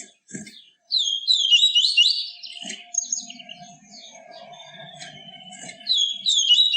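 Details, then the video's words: Yellow-bellied seedeater singing the pure song style called tui tui viviti, used to stimulate captive birds: high, fast whistled phrases with rapid warbling trills and sweeping notes, pausing briefly between bursts, with soft low murmurs beneath. "CANTO DO PAPA CAPIM TUI TUI VIVITI, CANTO PURO"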